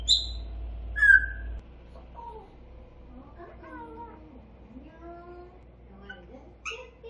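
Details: An 8-month-old pet grey parrot that babbles and says a few words opens with bright high whistles, then babbles in a string of wavering, voice-like syllables, ending with a squeaky chirp.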